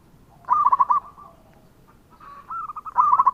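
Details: Actively singing local zebra dove, a lure recording: one stuttering cooing phrase that tails off, then a second phrase building up from soft notes into a louder run of quick, pulsing coos.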